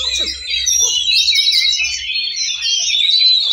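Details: Several Oriental magpie-robins (kacer) singing together in a songbird contest class in Cilegon on 5 December 2023: a dense, unbroken tangle of high whistles, trills and rapid chattering notes, with a faint low hum underneath.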